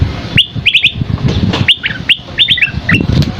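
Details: Scaly-crowned babbler singing in a masteran recording. Sharp rising whistles come in pairs and triplets, interspersed with short chattering notes. Low rumbling noise runs throughout.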